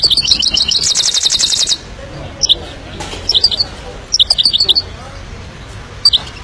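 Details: Himalayan goldfinch song: an opening rapid, dense buzzy trill, then scattered clusters of bright, high chirps delivered in quick runs of three to five notes.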